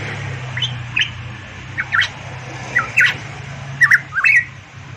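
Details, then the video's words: Papuan variable pitohui in lively song, giving clear whistled phrases that slide down and back up, in small clusters roughly every second, over a low droning hum and faint clicks. "burung pitohui variabel gacor cucak Rowo Papua cucak emas"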